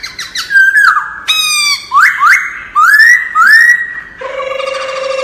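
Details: Wild-style laughingthrush song for voice training: loud, separate upward-sweeping whistles in short bursts with brief pauses, closing with a lower, buzzy rattle.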